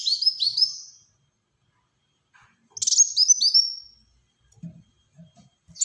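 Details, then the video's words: Black-throated sunbird in active song: a quick series of high descending chirps, silence, then a buzzy pulsed phrase sliding into a thin whistle, with faint low knocks afterward. "Burung Kolibri Wulung Gacor Tembakan Rapat untuk Pancingan & Masteran"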